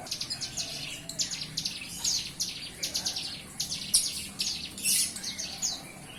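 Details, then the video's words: A juvenile bar-winged prinia, past hand-feeding, beginning its song: a long, uneven series of sharp, high buzzy notes repeated several times a second, a few brighter squeaks among them. "Cigun muda lepas loloh buka suara"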